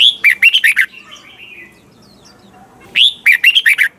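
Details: Caged-bird training song of a red-whiskered bulbul in double-note wild style: a rising whistle then four quick warbled notes, a soft drawn-out trill, and the same loud phrase repeated three seconds later.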